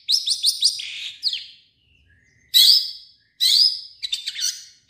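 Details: Long-tailed shrike performing a song that includes mimicked notes of other birds: a quick run of rising chirps, a pause, then harsh scratchy bursts separated by brief silences.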